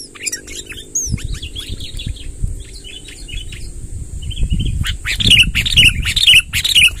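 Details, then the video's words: Sooty-headed bulbul lure song for collecting wild bulbuls: soft scattered slurred notes with low rumbling noise, then louder repeated bubbly phrases about every half second near the end. "suara tembakan BURUNG KUTILANG NGEROL PANJANG | gacor kumpulkan kutilang liar"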